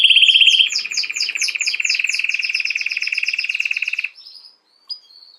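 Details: Singing canary delivers a dense, rapid rolling trill of bright repeated notes lasting about four seconds, then drops to near silence with a faint chirp near the end.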